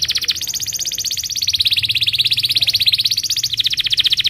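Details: Belgian canary singing in the morning, used as a lure to teach young canaries to sing: a long, fast rolling trill of rapid repeated high notes, steady and slightly wavering in pitch throughout.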